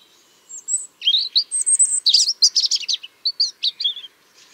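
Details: European robin singing on a cloudy, cool morning of 30 March 2023 in Tsaritsyno park, Moscow, where several robins sang and chased one another, probably migrants, some possibly territory holders: a quick, high, tinkling phrase of thin whistles and jumbled liquid trills.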